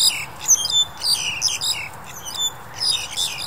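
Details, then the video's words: Black-collared Starling recorded January 2021 in pandemic times, producing short piercing whistles mixed with scratchy, grating squawks in an uneven rhythm. "黑領椋鳥 Black-collared Starling"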